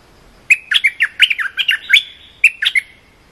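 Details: Cream-vented bulbul training song for young birds: a chattering phrase of rapid, liquid notes that zigzag in pitch, then a brief pause and a shorter three-note tail.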